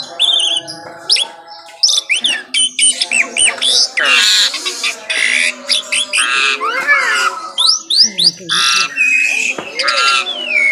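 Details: An Asian pied starling sings continuously in the morning, a dense stream of squawks, buzzy rattles and bright whistled upslurs broken by brief pauses.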